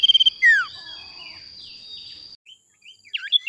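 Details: Male sirtu lure sound with a brief pulsed trill and a steeply falling whistle, then a thin sustained tone, a pause, and a few quick twittering chirps near the end.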